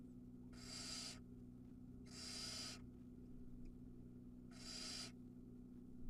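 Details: Barn owl chick on a live nest cam in Ram-on, Israel, at feeding time as it gulps down a whole mouse; three broad rasping hisses, each under a second, separated by pauses, with a constant low electrical hum beneath.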